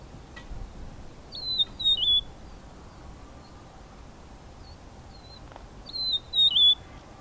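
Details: Rufous-naped Lark calling from a large rock used as a song post. It gives a loud phrase of two or three slurred, falling whistles, pauses about four seconds, then repeats the same phrase over a quiet background.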